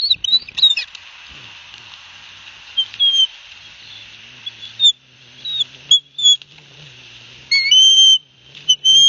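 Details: Osprey chicks at their nest at Barnegat Light, New Jersey, 9 September 2021, while the father delivers fish: scattered high whistles and slurred chirps among long quiet gaps, with a loud cluster of notes toward the end.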